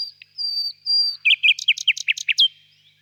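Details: Nightingale song opening with drawn-out high whistles, then breaking into a fast run of emphatic, staccato clicking notes that end on a brief slurred note.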